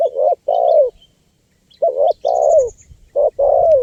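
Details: Loud spotted dove cooing, played to lure wild birds: paired phrases of a short note and a longer falling coo, repeated, with faint high bird chirps and a thin whistle.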